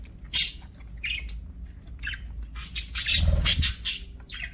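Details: Pet budgies chirping: short harsh squawky bursts, a sharp chirp near the start, then a dense run of scratchy chatter midway with faint low background rumble.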